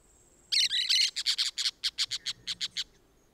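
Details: Orange-chinned parakeet pair in Costa Rica: a harsh grating squawk followed by a steady run of about fourteen short, sharp high chirps over two seconds.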